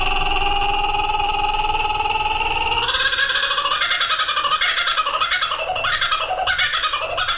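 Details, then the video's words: A kookaburra gives a steady, nasal harmonic note, then breaks into a loud, raucous, cackling run of choppy rising and falling notes. "Burung suara aneh (kookaburra)"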